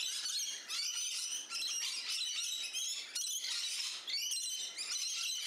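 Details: Rainbow lorikeets calling in a garden on Australia's Central Coast, New South Wales; a noisy group produces constant piercing, squealing chatter in rapid pulses with short dips between bursts.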